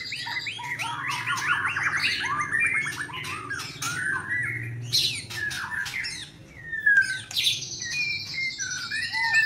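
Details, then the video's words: White-rumped shama, albino and blorok color forms, singing a dense, fast medley of varied whistled and chattering notes, some slurred upward, with brief sharp bursts and a high sustained whistle near the end; low background hum. "Burung Murai Termahal_Murai Batu Albino & Murai Batu Blorok EXTRIME"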